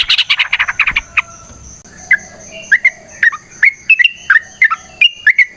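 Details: Yellow-vented bulbul singing in a lively, long-running rapid style used as a lure to prompt other birds to answer. Opens with a burst of buzzy chatter, then bright, liquid, slurred notes, rising and falling, roughly two or three per second.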